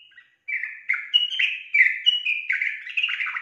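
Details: Yellow-vented bulbul singing vigorously: a continuous, hurried flow of bubbly, liquid whistles and slurred notes with scarcely any pause between them.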